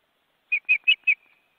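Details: Ospreys at a nest in an Estonian forest reserve, seen on a live webcam: two adults with nearly grown chicks flapping their wings in the crowded nest. Four short, clear whistled notes, each slightly falling, come about every fifth of a second, then fade into a faint trailing whistle.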